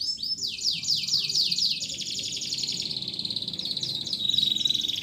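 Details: Canary song for stimulating quiet canaries and for tutoring young canaries aged two to four months: quick downslurred high notes running into a dense buzzing trill, then more sweeping notes, over a steady background hiss.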